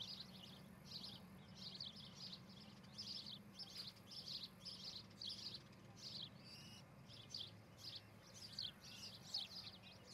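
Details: Osprey calling steadily at its nest near Charlo, Montana, July 14, 2018, morning nest-cam sound; high chirps repeat about twice a second for the whole stretch, with a faint low hum.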